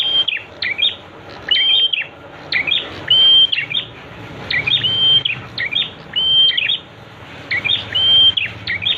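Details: Training song of a prinia meant to get kept birds singing quickly; chirpy high notes and a sustained flat whistle recur in regular phrases, with quiet low background noise.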